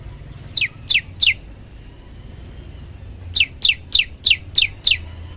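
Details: Male olive-backed tailorbird, very vocal, calling to a female with varied song. Three sharp, bright downslurred notes, a pause with faint softer notes, then six more loud descending notes about a third of a second apart, over a low background hum.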